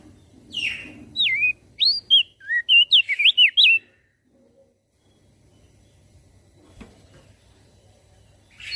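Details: Javan grey-throated white-eye singing vigorously, said to provoke other birds to join in: a rapid run of sharp, twisting whistled notes lasting about three seconds, followed by near silence and a faint click.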